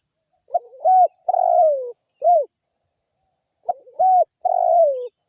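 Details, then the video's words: Spotted dove cooing energetically as a lure for other birds: two phrases of soft, hollow coos, each a short note, a higher rounded coo and a long falling coo, the first ending with a brief extra coo. "PANCINGAN TEKUKUR GACOR SEMUA BURUNG RESPON BUNYI"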